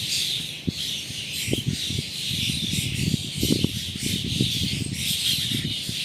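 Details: A flock of migratory common starlings, hidden in dense foliage and flitting between trees in a gully, keeps up a steady, dense wash of high squeaky whistles and clicking chatter, with a woman speaking quietly underneath.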